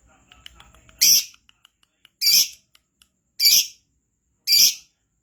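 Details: Lovebird in lively voice, recorded to lure other lovebirds into singing: four loud, shrill, rasping chirps about a second apart, after faint clicks and rustling.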